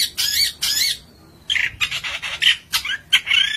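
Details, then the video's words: Long-tailed shrike in lively, full song: two harsh, broadband squawking bursts, a pause, then a run of rasping, scratchy notes with brief chattering accents. "cendet gacor manteb banget"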